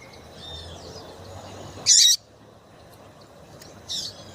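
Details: Female double-collared seedeater calling to prompt males to sing: one strong, high, crackly chirp, then a softer, buzzy one two seconds later, over low steady hiss.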